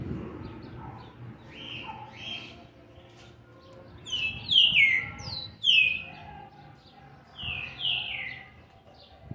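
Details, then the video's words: Seven-month-old young green-winged saltator, recorded 13/11/2020: a few softer whistles, then a run of loud, clear down-slurred whistled notes in bursts, some doubled, closing with two further descending phrases; faint low rumble beneath. "trinca ferro ( BRABO ) FILHOTE DE SETE MESES E 20 DIAS JÁ MOSTRANDO SUA GENÉTICA"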